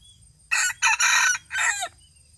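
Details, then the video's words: Red junglefowl rooster, recorded in 2018 and praised as a fine crower, gives a full harsh crow in three loud bursts: two close together, then a longer drawn-out ending that drops in pitch. Steady high insect tones continue behind it. "Qaib dib qua tau zoo heev"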